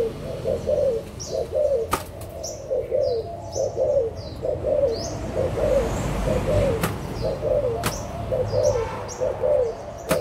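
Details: Adult Spotted Doves from Malaysia and Thailand, 16 March 2022, give clustered, throaty coo phrases over and over, roughly once a second, amid background noise, a few sharp knocks and thin high chirps.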